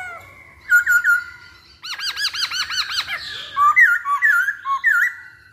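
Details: Masked laughingthrush singing as a lure to prompt other birds: a run of rapid repeated arched chattering notes, followed by bright whistled rising and falling phrases, with some overlapping squeaks.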